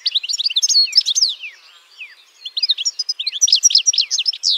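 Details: European goldfinch twittering: quick liquid chirps and downward-slurred notes in a tumbling high phrase, a brief pause, then another lively burst of rapid sweet twitters.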